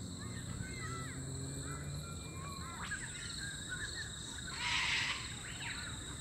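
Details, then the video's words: Sulphur-crested Cockatoos squawking, one loud, harsh, grating screech near the end after soft chirps from small birds over a steady high insect hum, on a morning bird walk at Oxley Creek Common, Brisbane, Australia. "So that's squawking, those are Sulfur-crested Cockatoo. Here"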